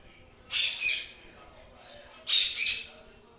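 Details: Pet Indian ringneck parakeet, a chatty talking parrot, giving two loud harsh screeching squawks about two seconds apart, each a double burst, with quiet room background between.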